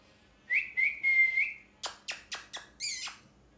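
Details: A parrot makes a drawn-out whistled note in three pulses, then a quick series of four sharp downward squawks and one harsh, rising screech.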